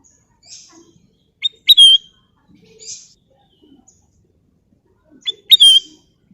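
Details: Golden bulbul repeating the same short song phrase twice: brisk upward notes followed by a pure, gently descending whistle, with faint soft chatter between phrases.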